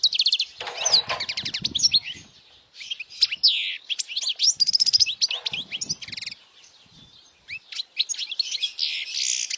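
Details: European goldfinch singing loudly for young goldfinches to copy: buzzy rattling trills open into quick liquid twitters and sharp chirps, with a quieter stretch before the song resumes.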